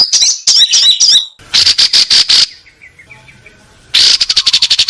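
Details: Long-tailed shrike tutoring song with a rich repertoire, home yard and rice field, 16 May 2022, recorded on a Samsung M30 phone: scratchy high phrases and pulsed bursts, a faint soft passage, then a loud rapid buzzing trill.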